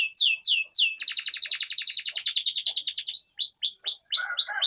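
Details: Canary in long continuous song, used as a lure to teach young canaries to sing; sweeping downslurred chirps give way to a rapid buzzy high trill, then more rising and falling whistled notes.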